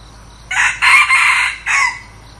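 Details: A newly acquired decoy junglefowl crows boldly, with a quick first note, a sustained rough middle phrase in two joined parts, silence, then a brief falling last syllable. Faint background hiss.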